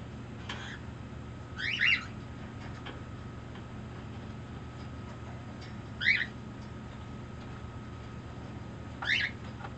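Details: Affectionate pet green-cheeked conure making demands with three rough, scratchy squawks about four seconds apart, plus faint ticks and a constant low hum.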